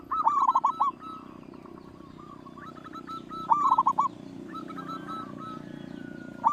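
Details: Local zebra dove singing as a lure to prompt others: two loud, rolling bursts of quick descending coos about three seconds apart, separated by softer, more distant cooing from other doves.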